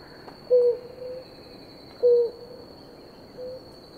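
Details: Short hollow cooing notes from a blue ground dove at water with its mate, two strong coos a second and a half apart and a softer third, against steady high insect buzzing.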